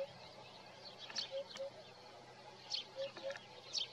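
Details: A Eurasian hoopoe sings in the morning, recorded with a Nikon Coolpix P1000: two pairs of soft, deep 'oop-oop' notes, interleaved with short shrill twitters of other birds.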